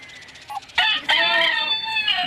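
A rooster crows once, a loud, harsh cock-a-doodle-doo with a short rising start and a long, strained, drawn-out ending.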